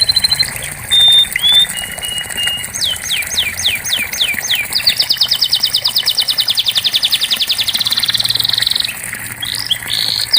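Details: Canary song used as therapy for a bird that has stopped singing: long varied phrases of whistled notes, steep downward sweeps repeated in quick series, then a fast buzzy trill held for several seconds before more whistles.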